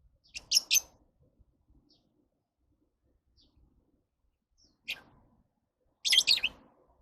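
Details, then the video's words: Lovebird screeches: a doubled harsh chirp at the start, a single sharp shriek midway, and a burst of rapid grating notes near the end, with quiet between. "Love birds Sounds"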